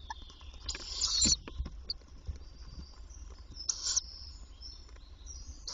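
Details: On 27 May 2023 a female tawny owl returns to the nest box in daylight to feed the young. Two loud, scratchy high hisses about two and a half seconds apart, with faint ticking and background rumble.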